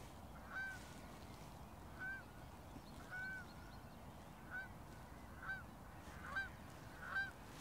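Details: Distant geese (greylag, ruddy shelduck, Canada and Egyptian geese on a field) give single nasal honks about once a second. A low rumble sits underneath; early morning in the Rhine floodplain, full moon, 0 °C, fog.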